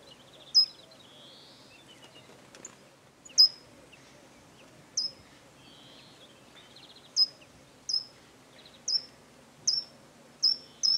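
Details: Short-toed treecreeper recorded on 13 March 2018 in rural Nouvelle-Aquitaine, central France: a string of piercing, high-pitched single notes, spaced irregularly at first and then repeated roughly every second, with faint softer bird notes behind.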